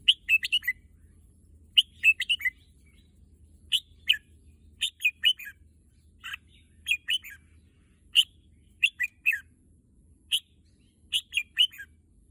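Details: Red-whiskered bulbul, a pet bird said to long for the contest field, repeats short lively whistled phrases of two to four notes roughly every second, steady and bright, over a quiet low hum.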